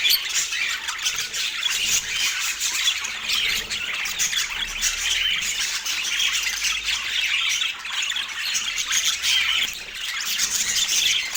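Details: Pet parakeet during its autumn morning mealtime in natural light, giving an unbroken stream of busy, scratchy warbling and squeaky chirps that rises and falls in loudness without pause.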